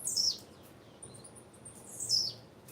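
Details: Female blue-black grassquit giving two high, thin, downslurred chirps about two seconds apart, with faint short peeps between them and a soft background hiss.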